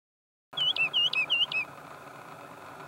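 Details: Woodlark singing in Sierra Nevada, Granada, Spain: after a silent start, a short run of about six clear whistled notes, each a paired up-and-down slur, over steady low background hiss.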